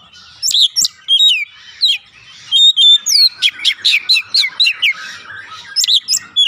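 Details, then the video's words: Oriental magpie-robin singing lively lure song: a steady string of crisp, high whistled notes and downward slurs, delivered in rapid clusters with almost no gaps. "pancingan Kacer langsung buka paruh GACOR"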